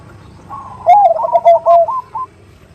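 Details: Perkutut (zebra dove) female calling a male: one brief, loud, rolling coo with quick stuttered notes running into a fading higher trill.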